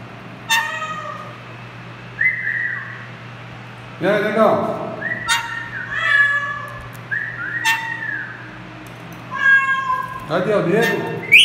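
A chopi blackbird sings loud whistled and harmonic phrases, imitating the call of a great kiskadee.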